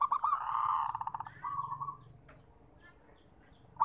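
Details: Zebra dove (local perkutut) singing, meant as therapy sound for birds slow to sing: a loud cooing phrase of rapid stuttered pulses rolling into a long purring trill, then fainter notes and near silence before another coo begins.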